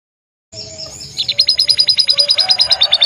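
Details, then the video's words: Canary singing in lively gacor style: after a brief silence and soft chatter, a fast trill of bright, high chirping notes begins, pulsing about ten times a second until the end. "burung kenari cantik gacor"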